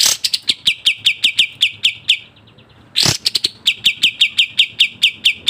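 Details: Sooty-headed bulbul (kapas tembak) in its speedy 'tembak' style: runs of short, high, sharp notes, broken by a quiet gap and a harsh burst before the series resumes.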